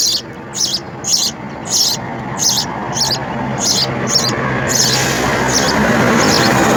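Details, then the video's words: House sparrow chicks at the nest calling to be fed insects, rapid hissy squeaks about twice a second, then swamped by a loud broad rushing noise over the last two seconds. "House Spsrrow Feeds Insects to Babies"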